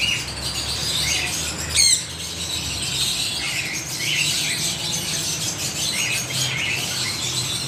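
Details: Parrot flock heard as a steady wash of shrill, overlapping squeals and short rasping squawks, with one sharp louder screech standing out early and a low background rumble.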